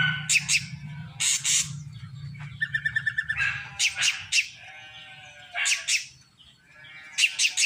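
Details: Srigunting krantil drongo, stated to sing more actively every day, mixing harsh buzzy bursts with a brief series of clear bell-like repeated notes, pausing, then resuming with scratchy phrases; low hum beneath.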